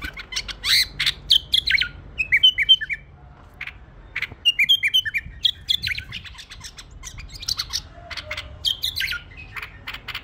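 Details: Pet bulbul singing lively whistled phrases, with several quick notes in a row and a few down-slurred ones, among frequent snapping clicks.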